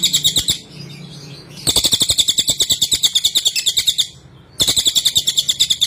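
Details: Cililin (Sunda whistling thrush) singing in a recording for tutoring cage birds: three long bursts of rapid, high-pitched, repeated chattering notes separated by brief quieter gaps, over a faint background hum.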